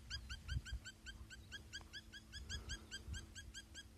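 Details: Spur-winged lapwing giving quick, clipped, ringing notes in a fast unbroken string, roughly four a second, with faint low hum and rustle beneath.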